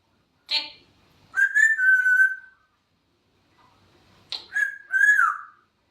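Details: Pet grey parrot producing two whistled phrases, each a sharp high onset followed by a sustained, slightly wavering tone that falls gently and fades; quiet room otherwise.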